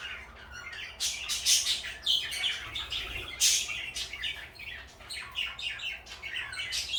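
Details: Two companion pet parakeets, one blue and one pale yellow, chirp busily; loud, high, rapid tweets and squeaky chatter run almost without pause.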